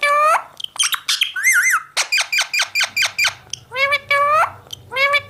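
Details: Pet Indian ringneck parakeet indoors: a loud run of harsh, harmonic-rich squawks and short chattering notes, some wavering and some rising, many clipped calls in quick succession.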